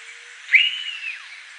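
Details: Blue-billed curassow from Reserva Los Besotes, Valledupar, Cesar, in northern Colombia, a critically endangered species: a single clear whistle that jumps up, holds steady for about half a second, then glides downward, with a light background hiss.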